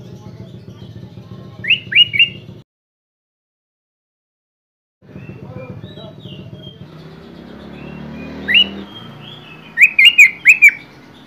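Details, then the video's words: Sooty-headed bulbul in full, varied song showing off its repertoire: short clusters of bright whistled notes, then a pause, then louder rapid bursts of three to four slurred whistles, over a steady low hum. "KUTILANG GACOR BONGKAR ISIAN"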